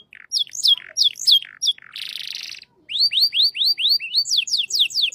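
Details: Shant canary song: jerky high chipping notes, a short hissing buzz, a pause, then a steady series of rising whistled slurs repeated briskly.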